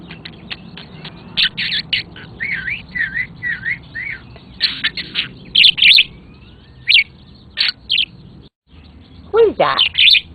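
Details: A pet budgerigar taken outdoors on a nice day, seemingly talking to wild birds in a tree, chatters in quick scratchy warbles and bright chirps, with a person's voice now and then.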